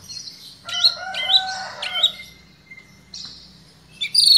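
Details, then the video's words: White-rumped Shama, provoked by a lure recording, sings its varied repertoire. Clustered bursts of layered, chattering notes come in three pulses, then a long thin whistle and a sharp high flourish at the end. "Murai batu ini bikin emosi dan bongkar isian seketika"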